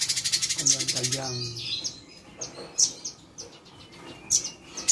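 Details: A captive sooty-headed bulbul in Bandung, 8 September 2022, sings mimicked material such as grey-headed flycatcher and indigobird: a fast burst of dry, rattling chirps, then scattered sharp high tweets. A man's voice briefly at start.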